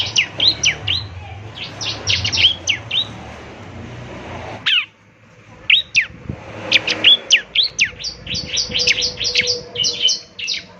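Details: Energetic song of a semi-mature bar-winged prinia, meant to be played in the morning to get other birds answering. Rapid, high, snappy chirps in clustered runs, with a brief break near the middle before the chattering returns.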